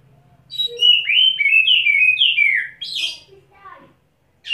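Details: Wet-set Oriental magpie-robin on a single perch in puffed display, delivering learned fill-in material: a fast run of bright whistled notes sliding downward, ending in a harsh high burst, then a few soft low notes.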